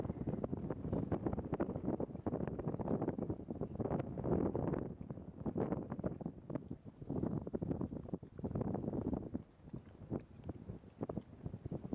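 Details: Only rumbling wind buffeting the microphone and a low engine-like drone are heard, with no animal calls.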